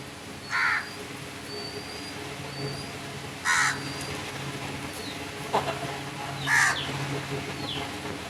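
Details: Three separate hoarse crow caws spaced about three seconds apart, the last slightly rougher, over a steady low hum with faint high whistles and small-bird chirps in the background.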